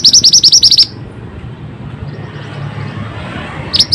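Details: Energetic Pied bushchat song serving as a lure for lazy singers: an opening burst of rapid, high repeated notes, a quiet gap with low rumble, then the start of another note.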